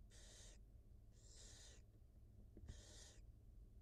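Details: Wild barn owl mother feeding her two newly hatched nestlings, live nest camera; three drawn-out harsh hisses, each about half a second, separated by roughly a second of low humming background.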